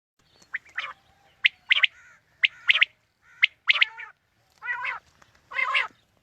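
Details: Quail calls meant to lure quail for hunting in the morning: rapid sharp, ticking notes in clusters of two or three, followed by two longer nasal, buzzy notes, in a quiet setting.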